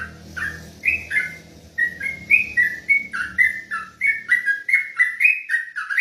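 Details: Olive-backed tailorbird singing ropelan style at night; rapid whistled notes start after a short gap and then run on steadily, with some low background rumble early on.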